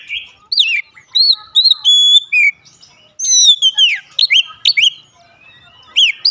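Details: Oriental magpie-robin, daily lure song to make birds start singing; pure high whistles, some held steady, others dropping in curved slurs, in short phrases separated by brief silences.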